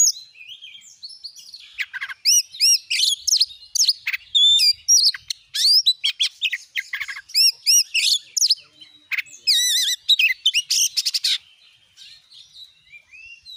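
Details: Kacer, or Oriental magpie-robin, singing as a lure for a kept bird: a long, varied stream of sharp whistles, slurred upward notes and dense chattering bursts. It breaks off near the end, leaving quiet background.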